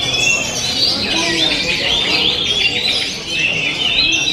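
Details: Oriental magpie-robin performing 'ngent'-style song: rapid high whistled slurs and trills layered densely, with only a brief dip in volume.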